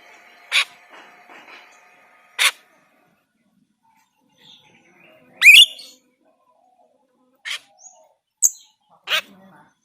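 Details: Scattered short, sharp notes and one rising whistle from a kept white-shouldered starling whose song is used to train other songbirds, with quiet gaps between the sounds.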